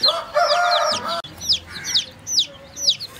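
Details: Chicks drinking water: high peeps sliding downward from several birds, overlapping a brief buzzing, tonal noise early on, then a click and spaced peeps.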